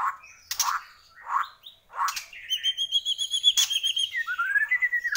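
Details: Energetic song of a white-rumped shama from Borneo: four rounded, mellow notes, then a fast, ringing trill of rapidly repeated high notes with a sharp click, ending in a rising whistled sweep.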